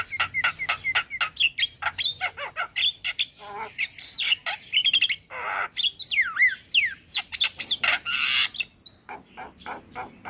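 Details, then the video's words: Dense, energetic song from a male Javan myna, played to get listening mynas singing too: rapid clicks and harsh notes interwoven with swooping, looping and falling whistles, nearly continuous for ten seconds. "SuaRA Jalak Kebo Jantan Bikin Burung Jalak Yang Dengar Langsung Ikut Bunyi"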